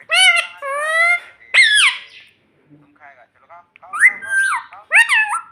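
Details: Pet parrot mimicking human words such as "mummy": long, steady, nasal syllables, then a sharp falling squawk. A quiet gap follows before more swooping, speech-like notes.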